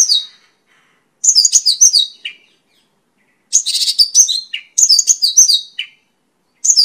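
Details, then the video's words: Mongolian lark, known locally as pakling, singing in bright high phrases of descending chirps and slurred notes, bursts separated by short silences, with no other sounds. "Suara Burung Pakling (mongolian lark)"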